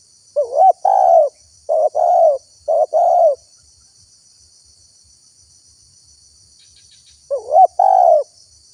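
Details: Spotted dove calls used as a lure to attract wild doves: low, soft coos in a quick three-part phrase, a pause, then another pair of coos, over a faint high steady hiss.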